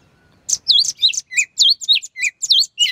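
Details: Sooty-headed bulbul singing loudly and relaxed in the morning in the ngeplong style, used as a lure to stir a quiet greater green leafbird into song: a rapid string of sharp, bouncing whistled notes, several per second, rising and falling.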